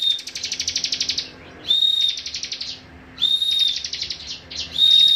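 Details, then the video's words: Cibon singing as a model for training songbirds: phrases that open on a clear high whistle, then run into rapid trains of sharp, buzzy high notes, the phrases repeated several times with brief pauses between. "CIBON BREN DUDUK MANIS COCOK UNTUK MASTERAN BURUNG KICAU ANDA"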